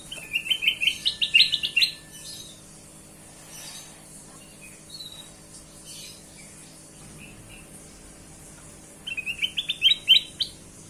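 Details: Kutilang emas bulbul song used as a lure for other birds: two bursts of quick, chirpy notes climbing in pitch, the first lasting about two seconds and the second near the end, with scattered soft chirps between them.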